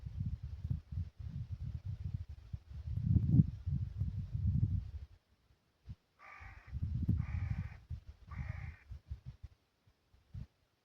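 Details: Wild Steller's sea eagle calling in winter at Lake Saroma, Hokkaido, Japan, February 2024: three short harsh barking calls in quick succession midway, amid heavy low wind rumble and gusts.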